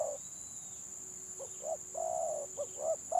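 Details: Stuttering-type spotted dove in a song contest: after a quiet start, short rising coos and one long level purring coo, with a low steady hum and a high whine throughout.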